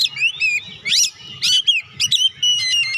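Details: Short burst of Oriental magpie-robin song for stimulating lazy birds: sweet rising and falling whistles, a sharp upswept note, then a rapid trilled series of high notes.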